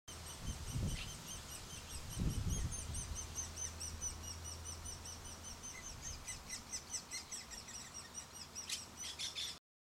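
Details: Chestnut-cheeked starling (Agropsar philippensis) raising young in an old great spotted woodpecker nest hole in a garden birch: thin, high, squeaky chirps in a steady busy chatter, with low thumps of wind or handling early on.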